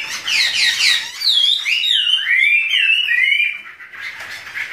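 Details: Chinese hwamei (Garrulax canorus) in a duet sing loud, varied phrases: rapid chattery notes, then clear rising and falling whistles, sweeping and slurred, with a brief pause near the end.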